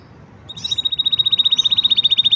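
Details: Green canary singing a loud, even trill of sharp, high pulses, about twelve per second, sustained for nearly two seconds after a brief quiet start.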